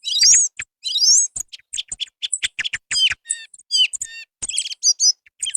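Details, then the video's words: Song thrush singing in a new 2024 recording meant for luring birds during hunting. The song mixes rising whistled slurs, sharp clicks, and buzzy downward notes in separate phrases, some given twice in a row. "صوت السمنة المغردة"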